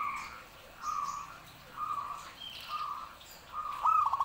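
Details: Zebra dove singing actively: a steady run of soft, level cooing notes roughly once a second, ending in a sharper rising trilled phrase, over faint high-pitched chirps from other birds.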